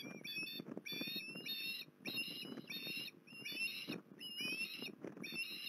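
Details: Loud, insistent whistled calls of an osprey at Port Lincoln on 21 December 2020, delivered in five bursts of several sharp rising notes each, roughly one burst per second, with crackling noise between.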